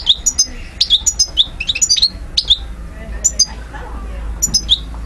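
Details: Parva goldfinch from Algiers, Algeria, 2012, singing a quick run of bright, tinkling chirped notes, about a dozen in two and a half seconds, then a brief pause before a few more.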